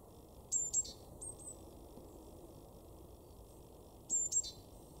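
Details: Great tit (Parus major) in a garden in Weener, East Frisia, northwest Germany, in March, giving thin, very high-pitched paired notes in three short bursts, with a steady low background hiss.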